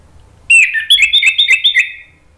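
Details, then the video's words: An orange-headed thrush sings to draw rival birds into replying: a brisk phrase of rich whistles and rapid stuttering chirps, about seven pulses in under two seconds, fading out cleanly. "PANCINGAN ANIS MERAH NGEPLONG MEMANCING lawan jadi NYAUT BUNYI GACOR"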